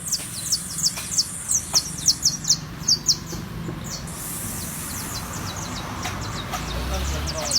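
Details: Saffron finch warming up its song, known as fogueo or calentamiento: a rapid series of sharp, high chips in quick bursts over the first three seconds, then softer scattered notes.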